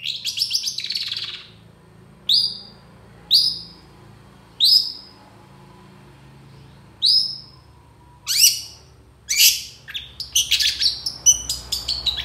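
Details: Long-tailed shrike singing rich 'tembakan' fills for tutoring other birds: an opening trill, then sharp downward-slurred chips spaced about one to two seconds apart, ending in a fast run of crisp high notes.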